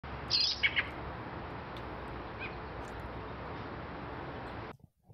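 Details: A young spotted-plumage American Robin (Turdus migratorius) in spring gives a few quick, high chirping notes near the start, then a faint note later, over a steady background hiss.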